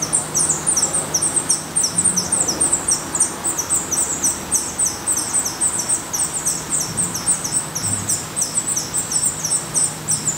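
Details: At a black redstart nest in Portugal where the young have not yet left: steady, rapid high squeaky notes, about three per second, each falling in pitch, with a soft low hum behind.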